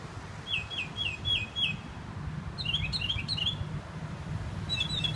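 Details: Northern mockingbird perched on a sign in Herndon, Virginia, singing a series of five high downslurred whistles, then switching to a different string of sharp, complex chirped notes, then starting another phrase, all over a constant low background rumble.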